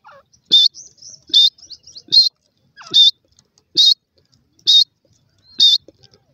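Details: Black francolin chicks in forest giving loud, high, shrill single peeps, evenly repeated about every 0.8 seconds, with faint soft ticks between calls.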